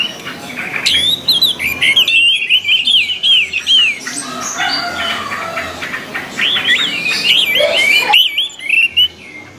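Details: Orange-headed thrush song played to train caged birds to sing: long runs of rapid, varied whistled and warbled notes in two bursts, each ending in a quick sweeping phrase, with brief gaps between.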